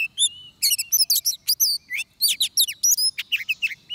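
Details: Oriental magpie-robin sings at a trapping setup: fast, loud sequence of varied whistled notes, upward flicks and buzzy chirps in quick bursts, continuous throughout.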